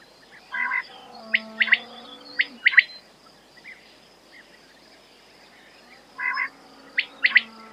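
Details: Quail calling in short, sharp, clipped notes grouped in quick bursts of two or three, separated by pauses of several seconds, over a faint low steady hum.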